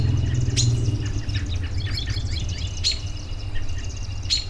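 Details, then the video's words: Birds in a relaxing soundscape: a burst of quick, high twitters in the middle, framed by a few sharp chips, with a strong low droning hum, loudest at the start. "10 Minutes of Bird Sounds for Relaxation"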